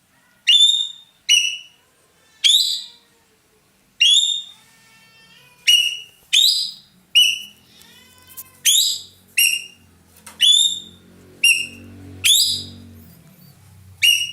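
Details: Ekek keling, a loud roller kept as a tutor bird in Indonesia, calling in an active run: about sixteen shrill, ringing cries, some paired, at irregular intervals, with low rumbling background noise in the second half.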